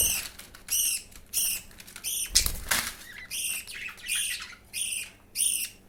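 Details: Budgerigar chick being fed by another chick, indoors. Raspy, harmonic squawks with a nasal edge, repeated roughly twice a second. A brief burst of rustling and wing flapping comes midway.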